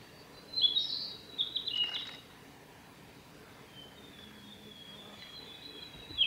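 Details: Male Japanese robin at Yanagisawa Pass, Japan, recorded 26 May 2019: two loud bursts of high, rattling trilled notes in the first two seconds, then faint thin trills over a steady background hiss.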